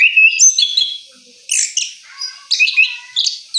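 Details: Post-moult orange-headed thrush delivering short bursts of high whistled and twittering notes, roughly one burst per second, separated by brief quiet gaps.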